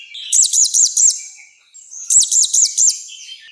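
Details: Orange-headed thrush giving a forceful song used to train and provoke birds: a phrase of four arched, high whistled notes, repeated twice with a short pause between.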